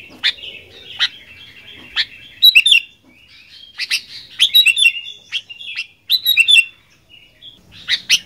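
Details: Gacor fighter song of a sooty-headed bulbul: irregular sharp chirps roughly every second, building into dense clusters of squeaky, slurred notes, with a faint low hum at times.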